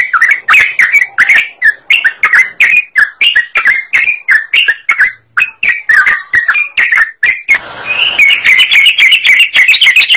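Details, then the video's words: Energetic yellow-vented bulbul song played to draw other birds into singing: rapid, gurgling phrases of short warbled notes, about three to four per second, ending in a smoother run of higher, tumbling notes. "TRUCUKAN GACOR Burung lain DENGAR IKUT KONGSLET"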